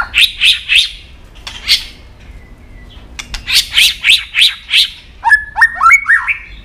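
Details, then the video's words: White-rumped shama in competition singing with tail flicking: burst of harsh, evenly spaced rasping notes repeated about three per second, a pause, more rasps, then quick clicks and clear rising whistles. "chòe lửa đập đuôi nhấp cầu hót đấu giọng rừng dài"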